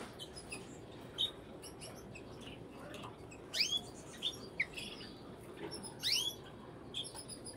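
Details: Several sharp, downward-sweeping chirps from a brambling, spaced irregularly over about seven seconds, mixed with fainter high twitters and ticks in the background.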